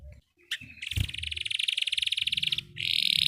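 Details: Belgian canary singing, played to make other canaries sing: a sharp note, then a fast buzzy pulsed trill lasting nearly two seconds, followed by a higher rolling trill.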